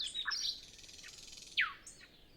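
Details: Nightingale at dawn before sunrise, no wind, other birds not yet singing: a short fragment of high whistles and a buzzy passage, then one loud descending sweep.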